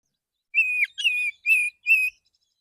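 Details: Male white-rumped shama singing in the morning, calling other shamas: four clear sustained whistles of similar pitch, evenly spaced.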